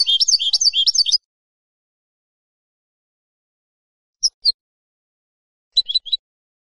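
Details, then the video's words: European goldfinch singing, used to teach young birds their song: a brief tumbling phrase of rising, liquid twitters, followed after a pause by short paired high chirps. "CANTO DE JILGUERO para NOVELES y MOTIVAR a CANTAR"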